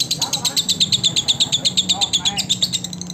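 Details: Lovebird singing as training material for other lovebirds: quick series of high, squeaky chirps about three per second, with faint lower warbling notes underneath and a low background hum.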